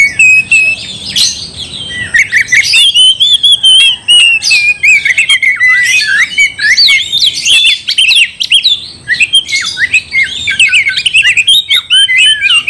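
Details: Sustained, energetic oriental magpie-robin song used to goad a rival into fighting: torrents of varied whistles, scratchy squawks and quick chirps without pause, rich mimic-like phrases and sharp clicks, over a faint steady high tone.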